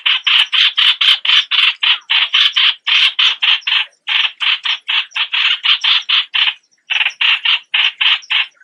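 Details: Streak-eared Bulbul calling a rapid series of hoarse, squawky notes roughly four per second, one short silence midway, then the series resumes.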